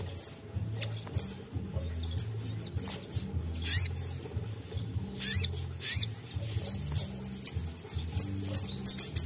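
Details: Sogon singing energetically, used to stimulate other sogon to sing: sharp high chirps, trills and whistled notes in quick irregular bursts, over steady low background music.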